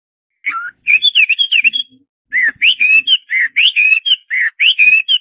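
Hwamei singing a rich, fast run of loud whistled and slurred phrases, rising and falling, in two bursts separated by a short pause.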